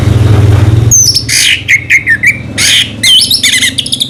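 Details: Orange-headed thrush singing slowly: a low hum at first, then loud scratchy and whistled phrases with harsh squawk-like notes and fast slurred twitters, delivered in quick bursts.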